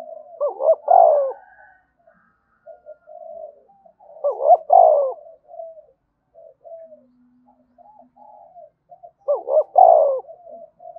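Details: Spotted dove cooing in the thúc bổi style: three loud, low, mellow coo phrases about every four and a half seconds, each a quick double note and then a longer hoot, with softer low notes in between.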